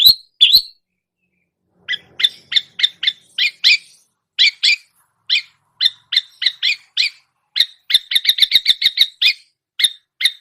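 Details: Long-tailed shrike copying other songbirds in a long series of short, high chip notes, irregular at first, then speeding into a rapid chattering burst near the end.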